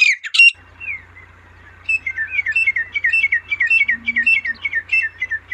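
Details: Female partridge, wild, calling naturally: two loud rough notes open, then after a pause a quick run of short chirping notes, many falling slightly, repeated irregularly over a low steady hum.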